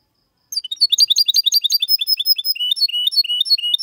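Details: Clean song of a goldfinch-canary hybrid (2022, Malaga copy style), used to prompt males to sing and young birds to memorise: after half a second of quiet, rapid high twittering notes tumble out steadily, shifting to lower repeated chirps near the end.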